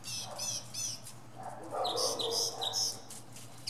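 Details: Northern mockingbird performing from a pine top, imitating other sounds: a buzzy rattling burst, then harsher lower squawky notes mixed with thin high chirps, over a constant low hum.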